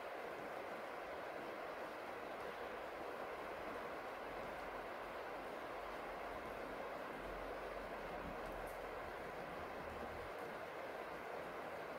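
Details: Steady, even hiss of rain or passing train noise throughout, with no animal calls standing out.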